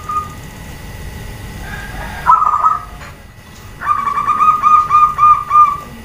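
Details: Female zebra dove calling so that males respond: a short rough burst, a pause, then a run of about seven rapid, evenly spaced mid-pitched pulsed notes.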